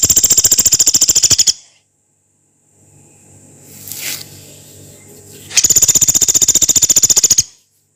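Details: A Brown-capped pygmy woodpecker (Dendrocopos nanus, "pelatuk beras") gives two fast, dry, high rattles of about a second and a half each, with a faint hum and a brief hiss in the pause.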